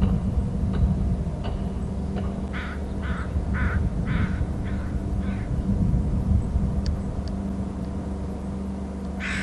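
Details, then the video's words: Eagle pair at a nest territory on Hornby Island, both calling while soaring: a fast chattering run of about six rough notes that gradually fades, then a single late call, with constant low background rumble. "both eagles calling"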